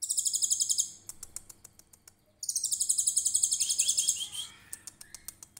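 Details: Trotol konin singing cililin-style shots for training other songbirds: a shrill, fast trill breaks off, then a longer high rattling burst follows and trails into softer descending notes, with scattered clicks between.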